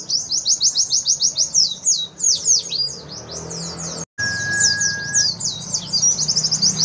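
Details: White-eye song recorded as a competition-grade tutor for young pleci: long, energetic runs of quick, high, down-slurred chirps, about 200 notes a minute, broken by a short silence, with a faint steady whistle tone in the background.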